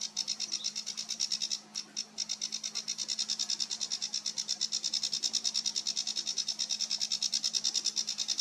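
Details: A sedge warbler, recorded 28 June 2022, sings a fast, high, scratchy chatter of rapid clicks and churrs running almost without pause, over a low steady hum.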